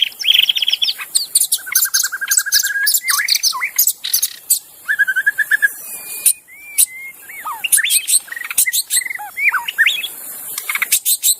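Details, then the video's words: Magpie-robin singing wild in forest: a long, varied run of whistles, fast buzzy trills and sweet slurred notes, broken by sharp clicking ticks, over a continuous high insect buzz. "suara burung murai asli di hutan"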